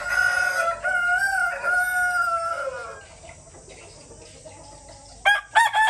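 A rooster gives a long, loud crow of several broken syllables that trails downward, followed by a quiet pause and a second crow beginning at the end.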